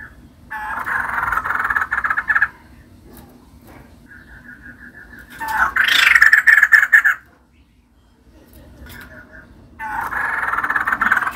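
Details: Female white-crested laughingthrush singing: long stretches of dense, grating chatter broken by a short run of clear repeated notes and a louder rattling burst, with quiet gaps between phrases.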